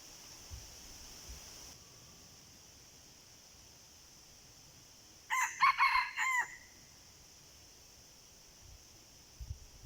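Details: Red junglefowl, wild birds being called in with a decoy: after several seconds of quiet, a single harsh multi-syllable crow lasting about a second, with faint scattered knocks near the end.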